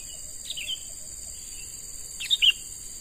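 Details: Young wild-caught sooty-headed bulbul in training as a lure: two brief clear whistled chirp phrases, the second louder, set against a constant high cricket-like hum.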